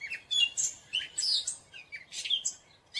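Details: Gray catbird song with harsh, mewing and squeaky notes jumbled together in quick phrases, some high and hissy, others lower and slurred.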